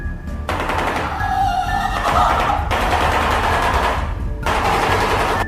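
A shoebill clatters its bill in long, fast, machine-gun-like bursts of hollow knocks, with a short pause near the middle and a faint musical backing.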